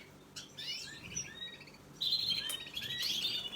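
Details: Young canaries being fed give rapid runs of high, squeaky chirps, first a short stuttering burst, then a louder, sustained chattering series over the last second and a half.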